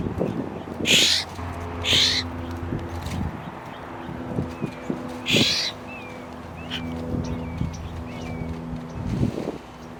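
Florida Scrub-Jay giving three harsh, raspy calls, a second apart, then a pause. Faint thin chirps follow, with soft instrumental music throughout.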